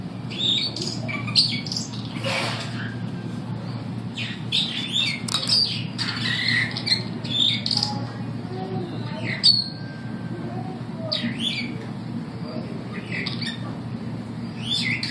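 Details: Superb starlings at the St Louis Zoo, 15 September 2012, give a rambling song of harsh squawks, chattering notes and bright whistles, with a steady low hum and faint voices in the background.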